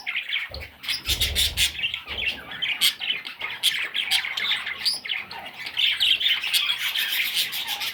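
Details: Little parrot chicks calling nonstop, a scratchy mass of overlapping squawks that swells louder toward the end, with brief low knocks near the start.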